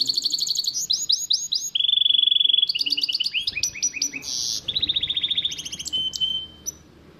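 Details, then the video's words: Long Shami-style phrase from a goldfinch-canary hybrid (bandook): bright repeated chirps, a sustained low buzzy roll, stuttering trills, a harsh burst of noise, then another even trill ending in a thin whistle. "تغريد بندوك لغة شاميه"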